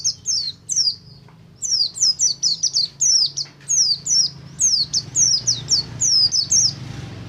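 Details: Oriental white-eye of the buxtomi type singing in ngalas style, used to stimulate other white-eyes to sing: rapid runs of high, thin, downslurred whistled notes in quick bursts, with a faint low hum beneath.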